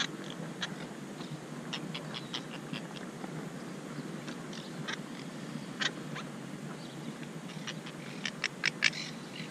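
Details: Monk parakeets building a nest, upset after their tree was climbed and fussing at a camera placed nearby; short harsh squawks scattered irregularly, with a louder burst near the end, over a steady low rumble.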